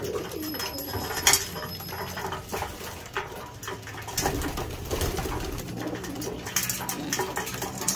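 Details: Homing pigeons at their morning meal give low, throaty cooing rumbles that overlap in a small indoor space, with scratchy clatter from feeding and a thin steady whine in the background.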